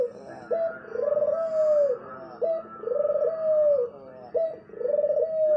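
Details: Low, mellow coos of a spotted dove. A short introductory note leads into a rolling trill and a long descending coo, the pattern repeating three times at steady intervals of about two seconds.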